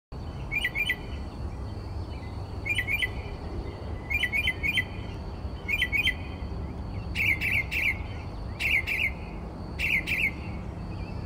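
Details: Northern mockingbird, Texas state bird, singing outside a bedroom window at 4 am; short chirpy phrases repeated two or three times, then a new phrase, with a steady high hum and low background rumble.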